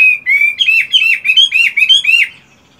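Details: Moulting caged Chinese hwamei singing during morning practice: a loud, steady series of rich warbled whistles, each note swooping down then up, repeated about four times a second before stopping abruptly.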